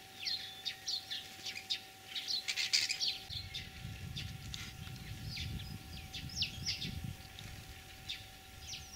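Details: Starling singing in spring, Tver region, Russia, April 2023, copying other birds: rapid high chirps and clicks in a continuous chatter, with low rumbling wind noise from the middle onward.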